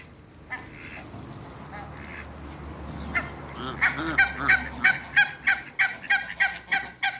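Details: African geese greeting Muscovy ducks, two pairs of geese present: quiet scattered notes at first, then a rising burst of rapid, harsh honks repeated about three times a second.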